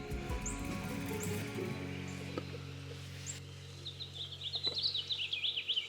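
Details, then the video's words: A House Finch sings a quick, jumbled warble of high rising and falling notes in spring woods where little birds and squirrels hop in the leaves, after a stretch of soft music and background hum. "The birdsong at 5:19 is a house finch"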